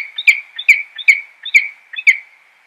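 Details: Peregrine falcon giving five sharp, chipping calls, each a short rising note that settles into a steady high tone, repeated about every half second in an otherwise quiet background.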